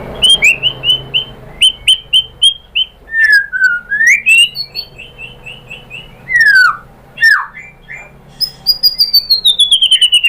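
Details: White-rumped shama song meant to provoke other shamas to sing: rows of repeated short whistles, a deep swooping whistle, falling slurs, then a fast rhythmic series of notes sliding downward.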